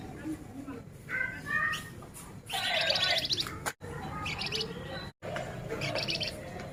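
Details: Singing male flamboyan with short whistled notes that lead into bursts of fast high rattling ticks, repeated in three separate groups over a murmuring background.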